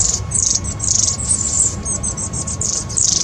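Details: Long-tailed tits squabbling among themselves, recorded 26 April 2021, give very high, thin, buzzy calls in several bursts per second over a soft low rumble.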